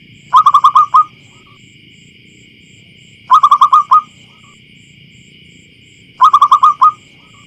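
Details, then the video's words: Local wild zebra dove in farmland, clear and loud: three evenly spaced phrases, each six fast, clipped coos rising at the ends, about every three seconds, with a continuous thin whine in the background. "Suara Pemikat Burung Perkutut Lokal Alam Liar"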